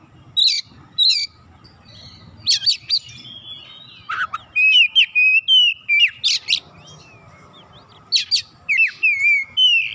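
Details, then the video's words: Oriental magpie-robin, said to make a lazy singer start after one hearing, pouring out repeated sharp rising flicks, high chips and sustained warbled whistles in quick irregular bursts, with a steady low hum throughout. "Kacer malas susah bunyi sekali dengar langsung gacor"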